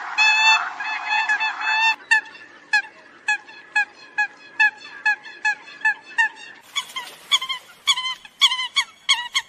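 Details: Eurasian coot calling the flock: a dense, drawn-out nasal opening call, then a run of short, sharp honking notes repeated about twice a second, each rich in overtones, growing louder and more piercing near the end.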